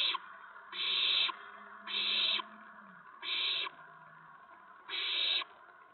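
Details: Owl nest in the evening on April 19, 2017, with food being brought to the owlets. Four drawn-out, noisy hissing screeches spaced over a second apart, with a faint low steady tone underneath.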